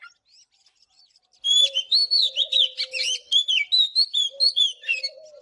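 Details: Oriental magpie-robin singing in the morning: after a quiet start, a fast run of sharp, high chirped and whistled notes, about two each second, over a low steady hum-like tone.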